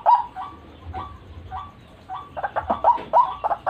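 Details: Spaced, nasal, slightly rising notes from a white-breasted waterhen used as a lure, about one every half second at first, then quickening into a burst of louder croaks.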